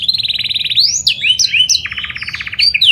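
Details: Lure song of a panda canary meant to set other canaries singing: rapid pulsed trill, tumbling slurred whistles, then a lower fast rattling roll and bright upward sweeps, loud and continuous.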